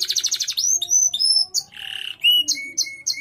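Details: Canary song of the kind used in bird contests: a quick rattling trill, clear high whistled notes, a harsh buzzy phrase, then evenly spaced short whistles.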